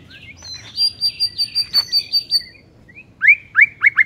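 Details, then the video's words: White-rumped shama singing in the morning in the 'hitungan detik' style meant to rile rival birds: a run of about eight sharp, high, evenly spaced notes, a brief pause, then five quick rising chirps. "HITUNGAN DETIK DI PAGI HARI BIKIN MURAI LAWAN AUTO NAIK EMOSI SEKETIKA"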